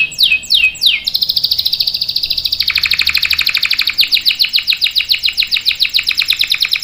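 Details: Lively canary delivering a long roll, used as a lure for young canaries: a few falling sweeps give way to a fast, continuous trill that steps down in pitch, then breaks into rhythmic rolling notes.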